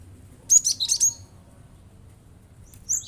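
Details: Singing cinereous tit firing off its rapid provoking song to stir other listening birds; a tight run of four or five piercing, high chirped notes, then silence and a brief further burst at the end.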